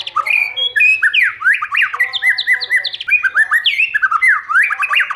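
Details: White-rumped shama singing in many voices to stimulate other shamas and train them to sing: a rich, fast stream of rising and falling whistled phrases, with varied slurred notes following one another almost without pause.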